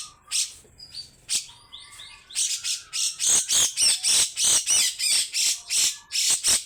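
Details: Grey-cheeked bulbul giving long, harsh rattling besetan calls: dense broadband bursts repeated about three times a second, with a few clear whistled notes near the start.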